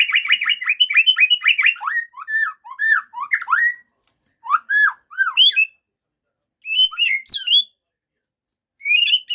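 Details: White-rumped shama pouring out learned song material: a rapid stuttering series of rich whistled notes, followed by spaced groups of sliding, downward-curving whistles and short high, squeaky phrases separated by pauses.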